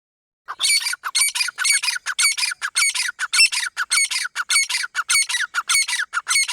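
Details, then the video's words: Partridge call used as a hunting sound: loud harsh ringing notes in rapid repeated bursts, about two per second, steady and insistent throughout. "Dakhne Teetar ka Awaaz"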